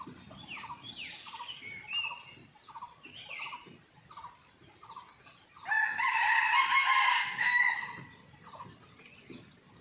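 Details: Wild red junglefowl on an active morning after a storm, watched by a hidden camera. A series of short clucking notes repeats roughly every half second, then a long, loud, full-throated crow breaks in for about two seconds.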